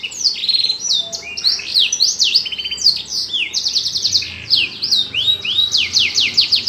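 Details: Caged canary, kept in a lovebird cage, in full song: rolling high trills, sweeping whistled slurs and quick rattling runs that flow on without a break in a small room.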